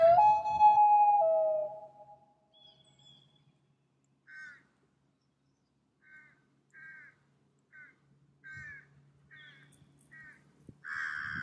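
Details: A loon on a pond gives a long, clear, slightly falling mournful note, then a string of short, harsh, nasal notes at irregular intervals over a faint low hum.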